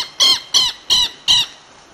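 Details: A wild ringed kingfisher (subspecies Megaceryle torquata stellata) in Andean Patagonia gives four loud, harsh, grating notes at a quick even pace, about three a second, with no other sounds.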